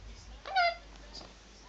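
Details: A male eclectus parrot named Oski, indoors, gives a single short, bright, voice-like word, high-pitched and slightly falling, in a quiet room, apparently saying "crazy".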